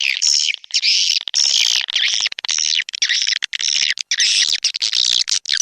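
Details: Swiftlets in an Indonesian-origin swiftlet-house lure recording called SP Anak Gembala, an outdoor-type sound used in Sóc Trăng and Đắk Nông, Vietnam: dense, high, buzzy twittering chirps in bursts of roughly a second, with brief gaps between them.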